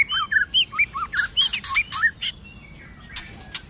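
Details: White-rumped shama fighting song in the cold season: a fast series of about nine short looping whistled notes with clicks, then quieter trailing whistles.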